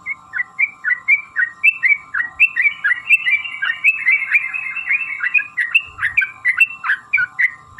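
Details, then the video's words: Sooty-headed bulbul (trucukan) in full, long rolling song used as a lure to make other bulbuls sing: rapid chain of short whistled notes around two kilohertz, repeated several times a second, with a steady low hum beneath. "trucukan gacor TARUNG ROPEL PANJANG pancingan trucukan agar bunyi jadikan burung trucuk gacor EMOSI"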